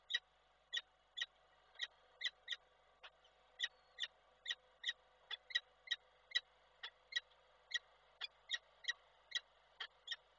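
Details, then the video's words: Peregrine falcon male in Koszalin, Poland, 12 December 2023, captured on a nest camera while calling to his mate. Steady series of clipped, high, ringing notes repeated roughly twice a second over a faint hum. "Samiec Nilę wołał, jak przyleciała to odleciał"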